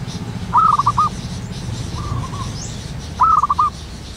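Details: Zebra dove, a local bird singing in the wild at morning: two stuttering runs of mellow coos about two and a half seconds apart, a quieter dove cooing in between, over a steady low background hum.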